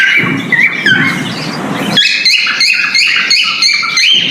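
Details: Breeding male cockatiel giving its mating call. Noisy, muffled chatter at first, then a clear run of rapid whistled notes, each stepping up or down in pitch, about three per second.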